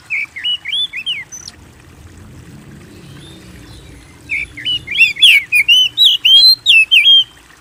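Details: Oriental magpie-robin singing strongly, used to encourage kept birds to sing: a short burst of twisting whistles, several seconds of quiet with faint low noise, then a fast, loud series of looping whistles and chips.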